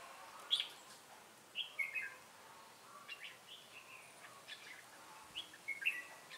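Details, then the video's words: Decoy red-whiskered bulbul at a trap in Bình Phước, Vietnam, 25 June 2018, "ché" style. Scattered short chirpy whistled phrases, fairly faint, with quieter warbles in between and light outdoor background. "Bẫy chào mào Ché cười"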